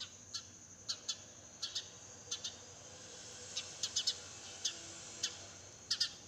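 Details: Early-morning garden sparrow giving brief, bright chirps about every half second, sometimes in close clusters of two or three, over a constant thin high hum; crows, pigeons and other birds share the garden.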